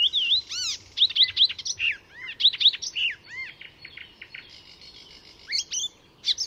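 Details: Mimicking Icterine warbler singing at Fysingen reserve near Stockholm, Sweden: loud varied bursts of looping whistled notes, sharp chirps and slurred phrases, one after another with short gaps, then a softer buzzy passage.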